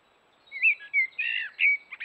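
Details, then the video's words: Morning song of a common blackbird at a forest watering hole, a short run of rich warbled phrases that slide and wobble up and down, sung closely and clearly over a quiet background. "Black Bird Song by the Watering Hole"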